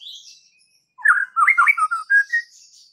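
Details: White-rumped shama singing after a faint high whistle: a second of quiet, then a quick jumble of rich warbled notes and a few clear whistles, varied and fast.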